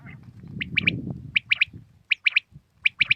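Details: Three-note phrases from a common quail repeated about every three quarters of a second in the morning, sharp and ringing, with a little low background noise at the start.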